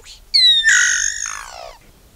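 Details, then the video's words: Solitary black cacique (iraúna de bico branco) producing a loud, sustained, strongly harmonic whistled phrase that dips slightly, then holds and falls away at the end. "Canto do Iraúna de Bico Branco / Bauá / Boé | Solitary Black Cacique"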